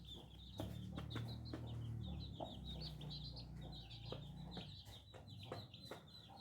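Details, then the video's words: Young chicks giving quick high peeps, about two to three per second, over a constant low humming background. "Chicken Free Sound || Funny Chicks baby"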